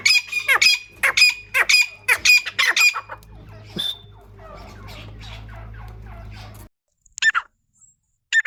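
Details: Teetar, or partridge, giving harsh, rasping stacked calls in a quick rhythmic burst. They fade into softer, buzzier repeated notes over a steady low hum, then a short silence and a few more scattered calls.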